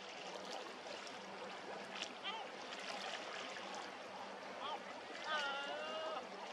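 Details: Caspian gull (Larus cachinnans), call.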